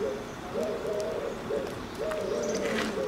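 Eurasian collared dove giving its soft, hollow three-note coo, the middle note longest, repeated about every one and a half seconds over faint background hiss.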